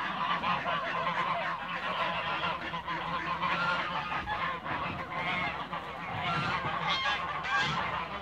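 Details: A flock of Toulouse geese in a backyard, honking together in a loud, rough, nonstop clamour of nasal calls that overlap and swell slightly toward the end, with a faint low hum beneath.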